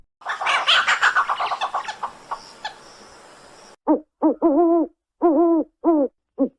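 An owl gives six short, hollow hoots, some doubled or slightly wavering, spaced about half a second apart. Harsh, rasping bursts come before them.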